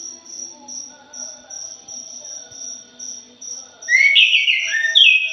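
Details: Thrush (punglor jali) lure recording: steady high insect pulsing for several seconds, then a loud burst of bright, jumbled whistled and buzzy notes near the end.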